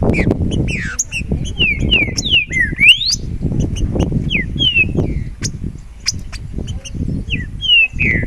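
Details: Loose green-winged saltator in song, giving spaced clear whistled notes that slide up or down, some in quick pairs, against heavy low-pitched rumbling noise throughout.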